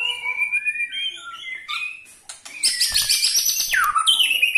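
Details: White-rumped shama ketrekan call, said to draw other shamas into singing: a few clear whistled notes, then a dense, buzzy, high-pitched rattling chatter, ending in a downward-sweeping whistle.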